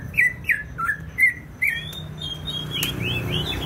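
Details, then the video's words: Greater green leafbird from Banyuwangi, East Java: five spaced, rich whistled notes with quick inflections, followed by fainter, higher sliding whistles and a sharp click, against a low hum. "CUCAK IJO BANYUWANGI GACOR"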